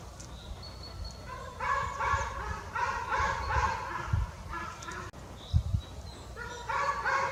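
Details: A fledgling jay in woodland calls in repeated bursts of grating, nasal notes, with a short pause midway before the harsh calls resume, over low background rumble.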